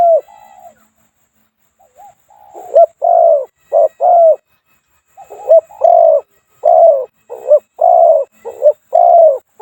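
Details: Caged Spotted Dove used as a decoy bird in Thai trapping, singing the two-coo style with a small voice: faint early coos, then a steady run of low paired hoots, each a short note followed by a drawn-out one.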